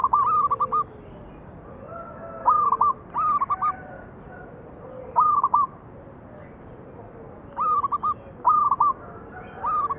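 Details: Zebra dove singing, recorded as a lure to prompt other doves to sing: short clusters of two to four quick, hooked coos repeated every second or two, with faint distant coos in the background.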